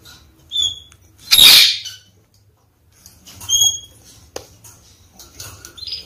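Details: Pair of red-fronted kakariki, male and female, caged, the male rushing to cut, peeled apples after bathing; short high whistled chirps and a loud harsh burst, with scattered squeaks and faint room noise.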